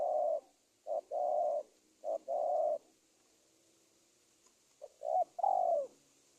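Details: Spotted dove lure call used for trapping wild doves in Indonesia: low cooing phrases, each a short note then a longer mellow coo, in three bunched phrases, a pause, then two more; faint steady hiss above.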